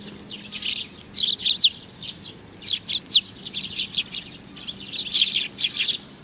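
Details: Young sparrow, a little chick, chirping in June 2019: bursts of short, high, sharp chirps in quick clusters, with brief pauses between groups.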